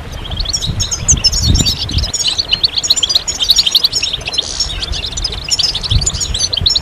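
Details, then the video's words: European goldfinches singing as a group to stimulate other goldfinches; a busy tangle of high liquid twitters and short buzzes, with a few low thuds in the background. "بتبتة الحسون أفضل البتبتات الجماعية stimulation de chant chardonneret"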